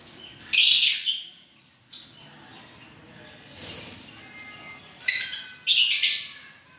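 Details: Lovebirds enjoying themselves: a loud, harsh screech early on, then a quiet stretch, then two clustered rasping shrieks near the end.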